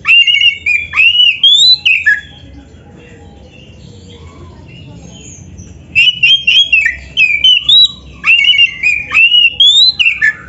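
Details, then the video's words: Singing white-rumped shama, known locally as kacer, used as a lure song: repeated bursts of loud rising whistles and chattering notes, broken by a quiet gap of about four seconds. "SUARA BURUNG KACER GACOR ISIAN‼️Masteran Kacer Gacor ini Cocok Buat Pancingan"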